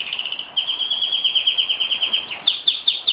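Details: Caged pet canary in a Jeddah home, recorded 26 September 2008, showing off with a steady run of fast, evenly pulsed high notes that slows into separate loud chips near the end.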